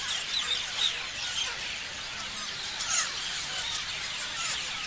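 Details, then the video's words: Many parrots chattering at once: continuous shrill chirps and squeals layered thickly, with a few louder sharp notes standing out near the start and middle. "Parrots chirping sounds"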